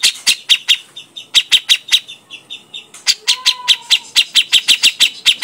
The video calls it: pancingan burung cucak jenggot